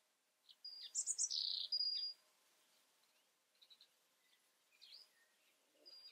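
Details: European robin phrase of rapid, very high jingling notes mixed with thin sustained whistles, followed by softer scattered twitters and short pauses.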